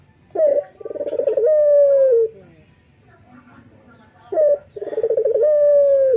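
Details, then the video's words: Local male Barbary dove, singing eagerly at morning: a short sharp opening note, a pulsing rolling coo, then a long smooth note dropping slightly in pitch, repeated twice in quiet surroundings. "SUARA BURUNG PUTER LOKAL JANTAN GACOR PAGI HARI"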